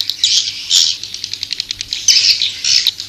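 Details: Swiftlet lure sound: shrill, buzzy chirps in short bursts, then a string of quick evenly spaced ticks before more rasping twitters, all high-pitched over a faint hum.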